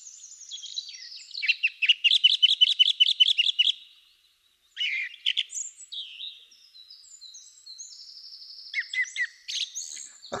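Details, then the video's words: Song thrush male in full song, one of the very early singers: a rapid stuttering phrase of about a dozen repeated notes, a pause, then varied chattering and whistled phrases, each repeated several times before stopping. "quite a good one to learn because as you can hear he has lots of different phrases which he repeats two three four five times then stops"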